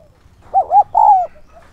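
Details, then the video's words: Spotted dove decoy voice used to lure wild doves, Vietnam: a short cooing phrase of two quick rounded hooting notes followed by a longer drawn-out coo, low and mellow, with faint background rumble. "Chim cu gáy mồi giọng SON chuẩn THÚC và GÁY GỌI kích bổi nhanh nổi hiệu quả"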